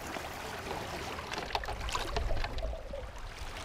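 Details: Trickling, splashing water and a low boat-like rumble with scattered knocks, and no animal calls.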